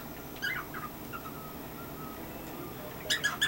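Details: A male pet cockatiel performs his chirp routine: a few short, bright chirps near the start, then a quick cluster of sharper chirps at the end, over a low background hiss.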